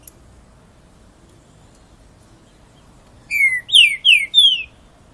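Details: Green-winged saltator song after a quiet pause: a phrase of four loud, clear whistled notes, each slurring downward, delivered in quick succession.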